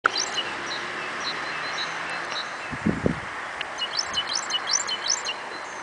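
Great tit giving a quick run of high, bright, bouncing two-part notes near the end, after scattered thin chirps, over steady background hiss and a brief low thump.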